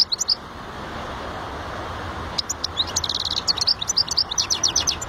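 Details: European goldfinch singing: a few sharp high chirps, a short quiet gap, then a rapid tinkling twitter of bright repeated notes over steady background noise.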